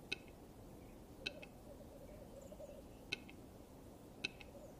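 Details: Western capercaillie during its mating season courtship ritual: sharp double clicks repeated about once a second over steady low background noise.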